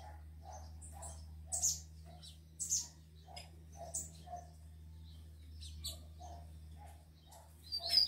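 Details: Rufous-collared sparrows, males and females, with two males apparently wanting to fight one, give sharp, high chips and short twitters at an uneven pace roughly every half second over a low steady hum.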